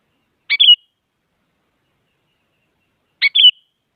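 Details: Sooty-headed bulbul gives two short, bright chattering phrases about three seconds apart, each ending in a clear whistled note, with silence between.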